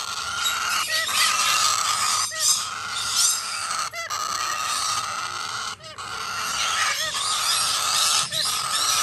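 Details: Young Major Mitchell's cockatoo chick calls with a steady rough buzzing rasp, interrupted by quick catches of breath roughly every one to two seconds.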